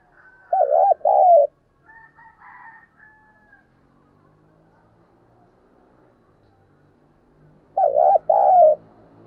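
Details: Spotted dove (cu gáy), a decoy bird calling to lure others, giving two mellow, hollow coo phrases at the start and end with several quick stuttered notes, separated by faint soft murmurs.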